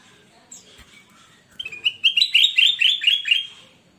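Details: Kutilang emas bulbul in loud song, recorded as a master track for training newly bought cage birds that seldom sing; after a quiet start, a fast burst of bubbly, repeated chirping notes rises about twice a second.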